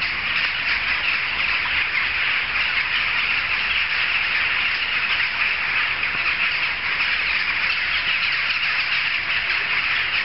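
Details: Many jackdaws gathered in one place, heard from several streets off, keep up an even, ceaseless clamour of overlapping harsh calls for the whole stretch, without any lull.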